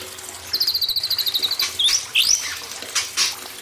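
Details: Imported White-rumped shama on a training track for young wild-caught birds. It gives a quick, even trill of about a dozen high notes, then two bold slurred whistles, with running water throughout.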